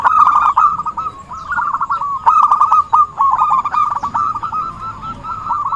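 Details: Lure call of the zebra dove, known locally as perkutut, used for trapping: an almost continuous run of quick, stuttering coo trills at steady pitch, slightly uneven in loudness, with faint bird chirps behind.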